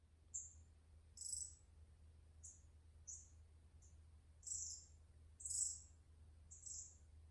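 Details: Green-backed twinspot song from captive birds that arrived late the previous night, part of a group of four pairs plus extra males: short, very high sibilant notes, one burst roughly every second, over a low steady hum.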